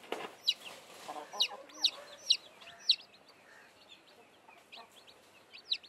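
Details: Newly hatched chicks with a blackish hen give a few sharp, high, downslurred peeps, spaced about half a second apart, then fade to quieter scattered cheeps.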